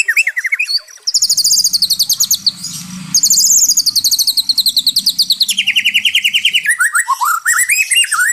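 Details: White-rumped shama in full song, used to restore the fighting spirit of stressed captive shamas: fast, rhythmic trills of repeated high notes, long rattling runs and sliding whistles, with a faint low rumble underneath.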